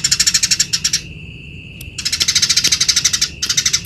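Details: Eurasian tree sparrow giving a busy chirping song used to train other birds: a second of rapid high chirps, a quiet gap with a thin steady tone, then two more fast chirp bursts.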